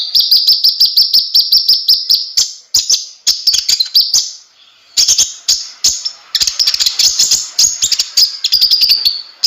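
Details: Kolibri ninja, or konin, singing gacor: long runs of rapid, high, buzzy chirps with many sharp ticks, broken by short silences and restarting.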